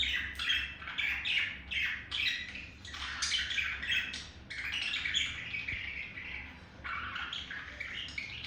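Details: Male budgerigar's seduction chatter aimed at a female: softer, rapid run of chirps and gritty warbled notes with a few rising squeaks, continuing without pause.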